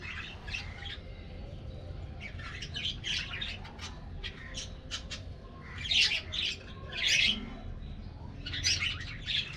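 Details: Colorful budgerigars in an aviary colony take a morning treat, giving clear sharp squawks and short chirps in quick clusters, with brief louder outbursts later on and a quiet hum behind.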